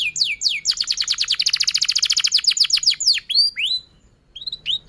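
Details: Canary singing long, energetic song, used to prompt young canaries to learn and stalled canaries to sing: high sweeping notes, then a rapid even trill of about two seconds, then scattered rising whistles with short pauses.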